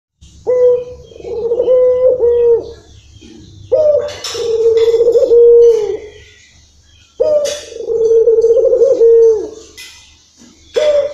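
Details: Local puter dove singing its long-rhythm song: three long, low, pulsing coos, each about two seconds with a bright rising onset and a steady held tone at the end, separated by quiet pauses.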